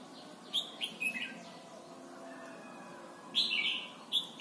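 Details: Red-whiskered bulbul from Thailand, song for training young birds: a quick series of descending whistled notes, a pause, then a louder rich warbled phrase and a final short note.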